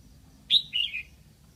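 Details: Decoy red-whiskered bulbul in Lạng Sơn calling wild birds in: a single ringing phrase of a high whistled opening note followed by two lower, warbling, descending notes, with faint low background hum.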